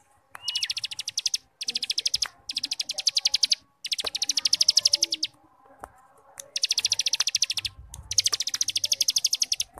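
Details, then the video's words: Ngebrem song of a cigun, used as a training model for young birds: repeated bursts of rapid, high buzzy trilling, each about a second long, broken by short silences and a few clicks. "Masteran Burung Cigun Ngebrem||Pancingan Cigun Muda Agar cepat bunyi dan gacor"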